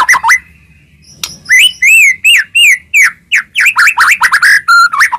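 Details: White-rumped shama singing to provoke rival shamas into song: a short note, a silence, then arched whistled notes in a row speeding into a jumble of quick rising and falling whistles and buzzy notes.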